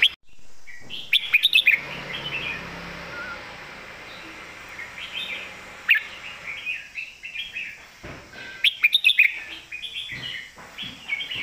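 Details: Red-whiskered Bulbul kept as a competition bird, delivering its master song in a thick-cored voice: bright, liquid warbled phrases in quick clusters, pausing briefly between bursts, with a few sharp clicks.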